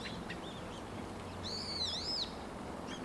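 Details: Dusky thrush, recorded 23 November 2015 in Japan: one high arching, slurred squeaky call lasting under a second, with faint soft notes before it, over constant outdoor background hiss.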